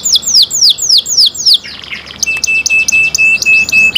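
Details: Canary song opening with about six loud, clear downslurred whistles in steady succession, then breaking into a mixed warble of buzzy trills over a thin sustained high tone.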